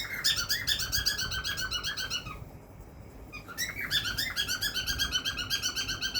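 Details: A cockatiel gives rapid, harsh chirping calls in fast repeated bursts, with a brief pause midway.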